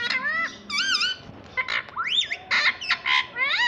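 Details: Talking pet rose-ringed parakeet, a green ringneck kept to say mummy and papa, chatters nonstop in loud, wavering, nasal, speech-like phrases and squawks, each bending up and down, in rapid succession.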